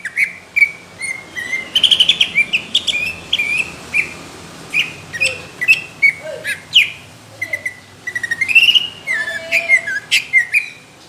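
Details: Greater green leafbird delivering rough, thick bursts of song that draw judges' attention: varied whistles, chirps and slurred notes in busy, irregular phrases throughout, some rising and some falling, with a few lower, softer notes.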